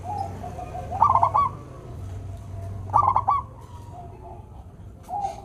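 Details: Local Indonesian zebra dove, a prolific singer with a sweet voice: two bright, clipped three-to-four-note cooing phrases about two seconds apart, a third beginning at the end, over a steady low hum and faint distant coos.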